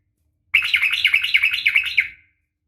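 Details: Sooty-headed bulbul (trucukan) female calling a male; a dense burst of rapid wavering chirped notes lasting under two seconds.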